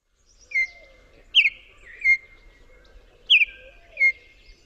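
Baltimore Oriole song: short, rich, flute-like whistles, some rising and some slurring down, given in a loose run of about six notes over five seconds.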